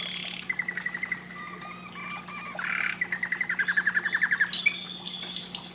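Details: Canary song for stimulating breeding: quiet ticking trills build into a louder rolling trill, followed by a few sharp high chirps near the end, over a steady low hum.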